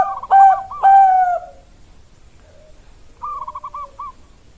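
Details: Zebra dove of the Bangkok type: two loud drawn coos followed after a pause by a softer rolling trill of coo notes.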